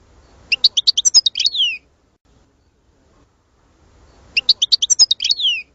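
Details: European goldfinch song for stimulating other birds to sing: two identical bursts of rapid, high tinkling notes with buzzy downslurred trills, repeated about four seconds apart, with silence between.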